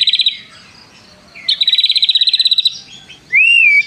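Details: Loud white-rumped shama song carrying prenjak mimicry: a short high rattle, then a long steady trill of rapid clicking notes, ending with a clear rising-then-falling whistle.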